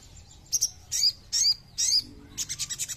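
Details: Ruby-cheeked sunbird singing, used as a lure to provoke other birds: four short high squeaky phrases spaced about half a second apart, followed by a quick run of clipped, evenly repeated chips.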